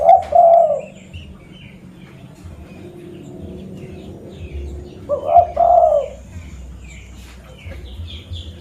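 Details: Local zebra dove from Busu Reului, Mutiara, Pidie, Aceh, used as a lure. Two separate trilled, vibrating coo phrases are heard, each about a second long and about five seconds apart. Faint chirps from other birds and a low rural hum are behind them.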